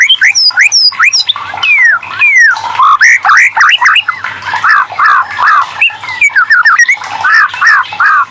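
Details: White-rumped shama, murai batu, song played as a lure to spur other shamas into singing: rich descending whistles and slurred phrases, then a run of repeated rising-falling notes given about twice a second, loud and dense.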